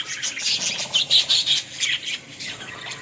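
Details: Budgerigar, called Australian parrot, in a village setting: harsh, high squawky bursts and warbles come in quick uneven pulses, several per second, fading toward the end.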